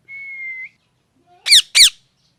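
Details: Natural parrot chirping: a sustained level whistle ending in a slight upturn, a pause, then two loud, sharply falling calls close together.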